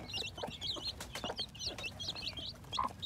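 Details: Chicks hatching in spring 2021: a steady stream of shrill, wavering peeps repeated several times a second, with clicks and low rumble in the background.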